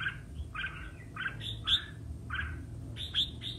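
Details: Red-whiskered bulbul in competitive singing (hót đấu): short, chirpy warbled phrases in bursts about half a second apart, with a few sharper, higher squeaky notes and a steady low hum underneath.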